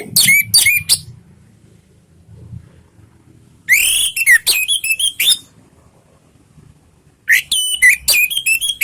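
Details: Orange-headed thrush song meant to set off other thrushes: three separate bursts of loud whistles, buzzy slurs and quick rattling trills, with quiet gaps in between.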